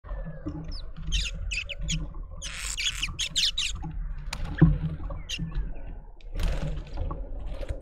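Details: Family group of red-billed woodhoopoes causing a commotion in a suburban garden in Pretoria, South Africa; loud bursts of harsh, rasping cackles crowd together in the first half, then a second burst of chatter later, over a steady low rumble.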